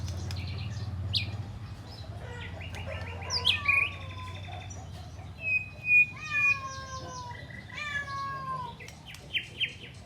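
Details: White-rumped shama singing with mimicked flycatcher phrases: rapid buzzy trills, sharp high chips and clear descending whistled notes in varied bursts over a steady low hum.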